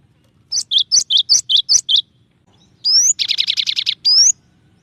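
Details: Cinereous tit in varied song, a run of eight high falling double notes, then an upward whistled slide, a dense rattling buzzy trill, and another rising whistle.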